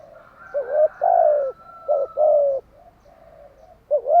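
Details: Spotted dove at morning giving two low coo phrases, each a quick upslurred note and a longer steady coo, then a thin hum and the start of another phrase.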